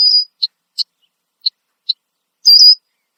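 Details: Loud alarm calls from a Red-winged blackbird perched in a tree, Southern Ontario, Canada. Short, sharp, high check notes roughly every half second, bracketed by two buzzy, slightly wavering whistled notes.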